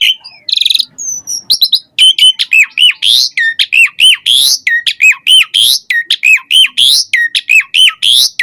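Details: Asian pied starling singing a varied, lively song used as a lure to make captive starlings sing; loud repeated whistled notes with sharp downward and upward sweeps, about 48 phrases a minute, after an opening of harsh chatter.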